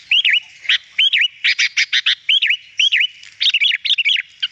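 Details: Sooty-headed bulbul singing on a recording meant to prompt birds to sing: repeated hooked notes that rise then drop, alternating with rapid stuttering chatter, in a busy continuous phrase.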